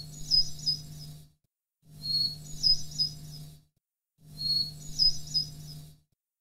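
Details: Hermit thrush song at original pitch, taken from a record: three high, fluting, chirping phrases of about 1.3 seconds each, separated by short silences, over a steady low hum.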